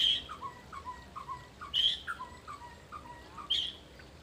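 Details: Mantenan gunung bird song for luring and training: a high buzzy note followed by a string of falling whistled notes, the phrase repeated about every one and a half seconds against a constant hiss.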